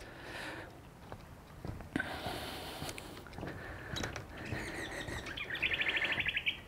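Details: Mangrove gerygone (Gerygone levigaster) in a coastal mangrove at Coffs Harbour sings a quick, high, sweet trill of rapid, evenly spaced notes after a man talks; they call across the mangrove to tell each other where they are.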